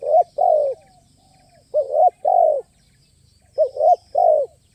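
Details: Crisp-voiced spotted dove at a lure site, delivering playful, stuttering cooing; three rounded hooted phrases, each of two or three notes, steady and clear against a quiet background with a faint high whine.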